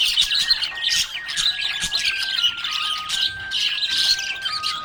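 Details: Lively budgie chatter of high chirps and rasping squawks in bursts, over sustained steady tones resembling music, presented as happy chirping.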